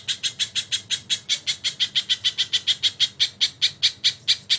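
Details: Crested jay singing on a tutor recording with kingfisher fills; the harsh, rasping notes come steadily at around five per second and grow slightly louder towards the end.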